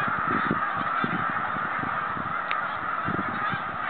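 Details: Snow geese on their homeward migration in 2013: constant honking from a large flock, with scattered low thumping pulses, busiest in the first second and near the end.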